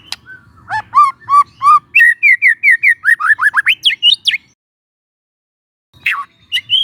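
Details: Relaxed lure song of a young forest white-rumped shama: repeated low whistled notes give way to a quick series of higher slurred whistles. A pause of about one and a half seconds follows, then a sharp rising note resumes the song.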